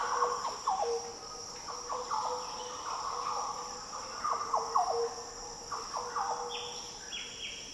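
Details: Rich, liquid song of Green Orioles in the Daintree rainforest, northern Australia: a run of fluty, slurred phrases, with higher short notes near the end and a steady shrill insect background.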